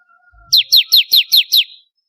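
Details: Bar-winged prinia (ciblek kristal), one of four song variations used as master song for training songbirds. A single burst of six bright, sharply falling chirps about a fifth of a second apart, with a soft thump just before.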